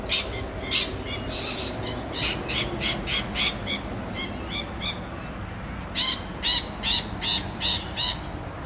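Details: Rainbow lorikeet chattering to its friends along the Olinda Creek Trail, Montrose, Victoria: a fast series of grating, rasping screeches, a pause, then another run of loud harsh notes.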